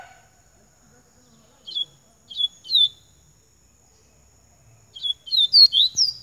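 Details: Double-collared seedeater (coleiro baiano) song: a few spaced, clipped high notes, then after a pause an accelerating run of bright, piercing downslurred whistles that climbs higher toward the end, with a faint constant high-pitched hum behind.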